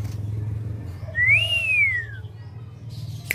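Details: A tame female black-naped oriole gives one clean arched whistle that rises, peaks and slides smoothly down, over a low rumbling background hum.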